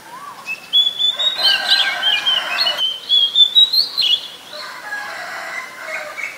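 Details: Oriental magpie-robin in the wild giving a sustained, clear whistled phrase with sliding, wavering notes, followed by softer, lower warbling.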